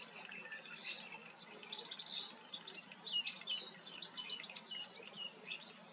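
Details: Common starling (Sturnus vulgaris) singing while preening, a rambling, high medley of sharp whistles, squeaky notes and clicking chatter without a break; a faint low hum underneath.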